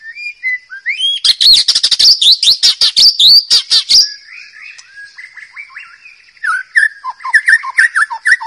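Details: Wild forest White-rumped shama singing a loud, varied song: rapid ringing trills and sweeping whistles, then a pause before a burst of fluty, descending notes.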